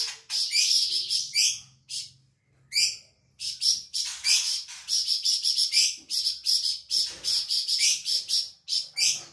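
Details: Lively flamboyan bird song, a Sumatran insect-eater prized as a tutor bird: quick trains of sharp, high, scratchy chirps, sparse at first and then dense and rapid over the final seconds.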